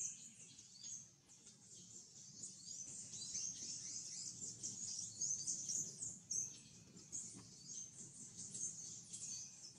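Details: Green honeycreeper (Chlorophanes spiza) at Ubatuba, Brazil, 2016, with a steady stream of thin, very high chips and sibilant twitters, many overlapping, above a soft low background rumble.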